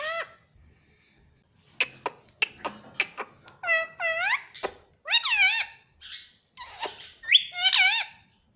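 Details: Talking pet ringneck parakeet indoors, said to say 'papa' and 'mummy': a varied run of clipped clicks and harmonic, bending word-like syllables, some rising and falling, delivered in uneven bursts over several seconds in a small room.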